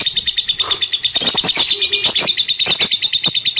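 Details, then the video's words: Lovebird singing: dense, high, rapid chirping trills repeated about three times a second, with scattered sharp clicks and short broadband notes throughout. "KiCAU BURUNG LOVEBIRD"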